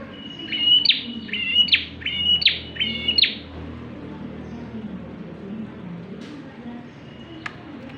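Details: Vigorous Bar-winged prinia song, useful as a lure for other birds: four quick phrases of flat high whistles ending in abrupt falling flicks, delivered in a three-second burst, then near silence with a faint distant note.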